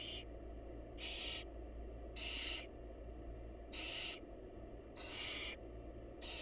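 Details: Wild barn owls at a monitored nest box as the mother feeds her chicks: harsh, breathy hisses about half a second to a second long, repeated roughly every second, over a steady low electrical hum.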